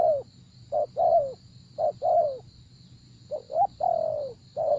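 A spotted dove gives soft, low hooting coos in short clusters of two or three, the last note drawn out. A steady high insect hum runs underneath.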